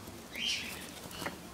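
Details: Pet Solomon Islands cockatoo indoors, playing with a tent; a single short harsh smeared call of about a quarter second rises out of quiet background hiss, followed by a faint brief chirp-like note.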